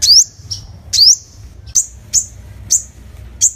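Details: Sunbird call used as a lure: sharp, very high chirps that sweep upward, some longer and slurred, others short clipped notes, given about once a second over a faint low hum.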